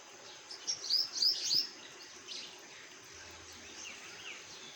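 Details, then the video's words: Birds chirping, with a short cluster of sharp, high chirps near the start, then only faint, scattered tweets and a low steady background hum. "Birds Chirping Sound |Birds chirping"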